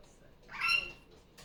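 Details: Female superb parrot kept as a pet, loud again on a Sunday morning after leaving her nest. One drawn-out, harsh squawk with a ringing, slightly rising tone lasts about half a second in a quiet indoor setting.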